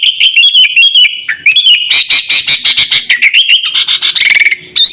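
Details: Sooty-headed bulbul lure call, used to attract birds and to train pet birds: loud, continuous, bubbly chatter of quick whistled notes, some sliding up and down, with rapid clicking pulses running underneath.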